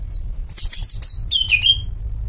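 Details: Caged greater green leafbird, in the 'melet' state, singing a short jumbled phrase of high whistled and chattering notes that ends in a bright downward-sliding whistle, with low background rumble throughout.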